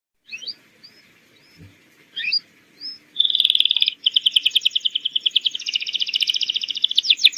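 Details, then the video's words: Domestic canary lure song for training young birds to sing: a few high chirps and short whistled notes, then long fast buzzy trills of rapidly repeated high notes, pulsing steadily. "PANCINGAN BURUNG KENARI GACOR UNTUK PAUD AGAR CEPAT NYAUT"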